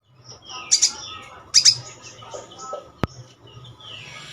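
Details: Sogon song: two bright, high chirping bursts about a second apart, a sharp click near three seconds and soft higher twitters at the end, over a low steady hum.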